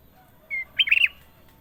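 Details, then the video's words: Kutilang emas, the sooty-headed bulbul, sings one phrase: a brief flat whistle, a short pause, then a rapid rolling cluster of liquid, up-and-down notes. The background is quiet. "KUTILANG EMAS PALING MERDU! Suara Gacor Panjang"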